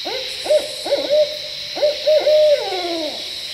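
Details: At night near a bridge in Maryland, barred owls call back and forth to each other, one calling close by before flying off: a quick run of mid-pitched hoots ending in a long, sliding downward note, over a steady high insect drone.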